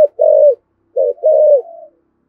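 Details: Urgent Thổ Sấm style coos of a spotted dove used to provoke wild doves: two deep, mellow phrases, each a quick lead note running into a longer, slightly falling coo with a faint tail.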